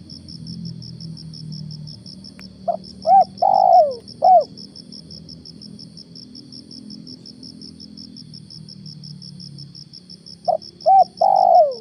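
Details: Spotted dove decoy heard in the morning while luring wild doves; two coo phrases about seven seconds apart, each of short notes around a long falling coo, against a continuous pulsing cricket chorus.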